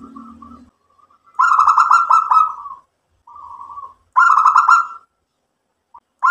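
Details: Local zebra dove singing energetically, responding and joining in: two loud rolling trilled coo bursts lasting about a second, joined by softer even coos between them and a brief low hum at the start.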